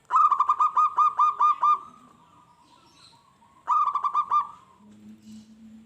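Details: Zebra dove song used to provoke wild doves into aggressive replies: a rapid string of clipped, evenly spaced coos ending in a drawn-out note, then a second shorter phrase after a pause.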